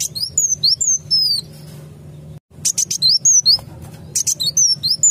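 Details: Sunbird lure call for trapping birds: quick run of sharp, high descending tweets, a short gap, then dry clicks followed by more thin slurred chirps.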